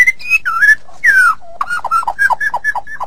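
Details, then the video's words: White-rumped shama song from a training recording for songbirds: sweet slurred whistles, one long descending whistle, a low note, then a quick run of short downslurred whistles. "Masteran Suara Murai Batu"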